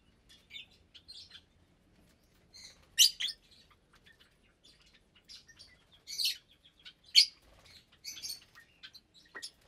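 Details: Lovebirds of parblue, euwing, opaline, lutino and albino varieties, about 25 in a cage aviary at meal time in January 2023, give short high shrill chirps and squeaks in scattered bursts, with quiet gaps between.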